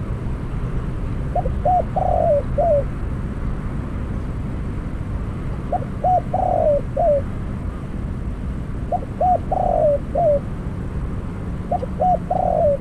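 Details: Decoy spotted dove used for trapping, calling after its first capture: four cooing phrases roughly every three and a half seconds, each with two short notes, a long burry coo and a downslurred ending, over a low rumble.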